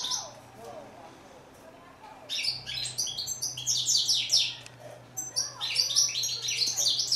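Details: After a quiet start, a European goldfinch breaks into fast, jangling twittering phrases, rich in high chirps, with a low steady hum in the background.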